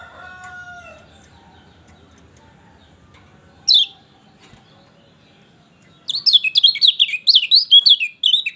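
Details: Lemon-bellied white-eye song used as a prompt for a silent bird: lower drawn-out tones and a single sharp note first, then an energetic burst of high, rapid, scratchy twittering to the end.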